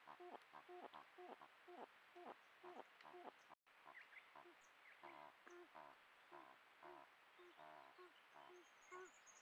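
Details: Vocalisations between a pair of Malleefowl at the first egg of the 2024-25 season, 7 September: a long series of quick, low clucking notes, briefly interrupted, then resuming more densely, with a faint high chirp near the end.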